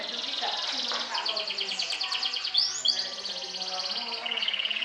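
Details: Champion Atlantic canary singing to provoke and overpower rivals: fast high rattling trills run almost continuously, shifting pitch midway with a brief upward slur, under a low background hum.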